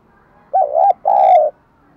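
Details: Spotted dove song for daily voice training: two sustained, mellow coos, the first wavering and the second longer and even, separated by a brief pause.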